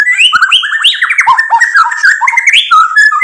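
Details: White-rumped shama singing steadily as a lure to make other birds reply. A dense, tumbling stream of varied whistles and slurred notes moves up and down the scale without a break.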